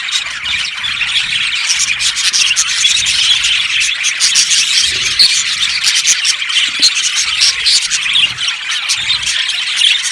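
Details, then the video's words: Aviary colony of budgerigars producing a continuous wall of shrill chatter, chirps and squeaks overlapping with no quiet gaps. "Budgies chirping sounds"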